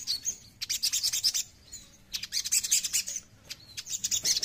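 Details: ['Oriental magpie-robin song in three clustered bursts of high, thin chirps and quick trilled notes, each lasting about a second and separated by short pauses.']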